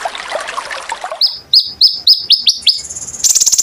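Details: Konin bird recorded as training material for kolibri ninja birds: after a second of hissy noise, a row of crisp high downslurred chirps, then a short buzzy rattling trill.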